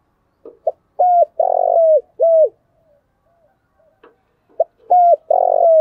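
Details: Morning cooing of a spotted dove with the dense 'thổ đặc' voice: two matching phrases, each a quick soft note then three strong, flat hollow coos with a drooping finish, separated by a quiet gap.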